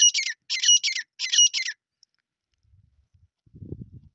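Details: Grey francolin (desi teetar) from Sindh, a call used to lure birds for hunting: three loud, scratchy, high-pitched phrases in quick succession, then silence followed by a low rumbling noise.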